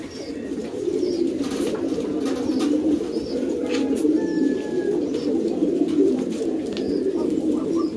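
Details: Fancy pouter pigeons in a loft produce an unbroken, low rumbling chorus of coos from many birds, with faint distant chirps and a few soft knocks.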